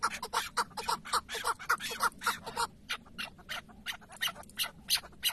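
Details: Chukar partridge on a tether as hunting decoy in Şırnak, Turkey, calling in a brisk burst of clucking notes, dense at first then more spaced and quieter, around three per second, with a light background hum.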